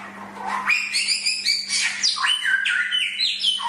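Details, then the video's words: Chinese hwamei (samyong) singing a loud, rich run of varied whistled phrases that swoop up and down and change every fraction of a second, over a steady low hum. "BURUNG BERKICAU - Masteran Suara Samyong"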